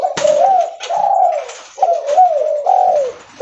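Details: Leopard-type spotted dove calling loudly as it walks: about four husky, bending coo notes in quick succession, each with a soft knock at its start.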